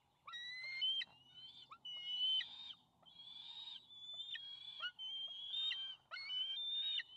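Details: Two juvenile bald eagles fight over a fish in the nest after the adult male brings it, late May 2020. Near-continuous shrill whistled squeals and rising yelps in quick, overlapping phrases.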